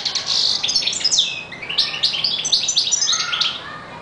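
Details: European goldfinch (Carduelis carduelis), song.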